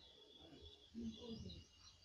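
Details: A common myna, said to make many sounds and talk like a human, imitates human speech in one brief, low, voice-like phrase lasting about half a second, over a steady background hiss.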